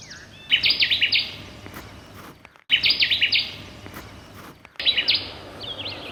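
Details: A Connecticut Warbler, heard but unseen in a tamarack bog in northern Minnesota's Sax-Zim Bog in summer, sings loud, emphatic "chuppa whippa" phrases of five or six high, chunky, repeated notes, roughly every two seconds, against a faint steady hum.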